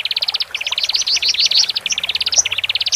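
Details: Male and female Horsfield's bush larks, played for birds newly moved from a shared cage: a fast run of clipped pulsed notes, evenly spaced, breaking into varied chirps and a couple of bright high notes.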